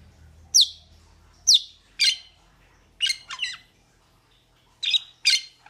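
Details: Metallic starling (Aplonis) calls: sharp descending squeaks and harsh chattering bursts spaced about a second apart, against a quiet background with a faint low hum at the start.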